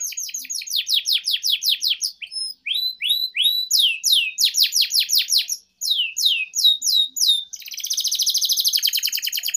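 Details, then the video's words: Lure and master song of a canary for tutoring young birds: long series of rapid downward-sweeping whistled notes in repeated phrases, with brief pauses, closing in a dense buzzy trill. "PANCINGAN Suara Burung KENARI GACOR Panjang || Masteran KENARI Paud"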